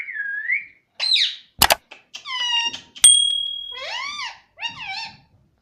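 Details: Talking pet parrot saying "Mummy" and "Mitthu mitthu"; a whistled rising note, a screechy squeak, loud clicks, then several clear arched syllables and a long, steady high tone.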